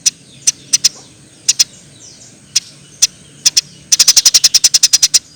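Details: Eurasian tree sparrow, for training songbirds: spaced single and paired high chips at first, then a sudden fast even series of about fourteen chirps.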